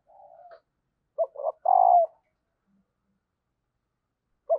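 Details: Female spotted dove calling to stir males into cooing. A soft low coo comes first, then two short throaty notes and a longer, louder rolling coo, with one more brief coo at the end. There is no other noise.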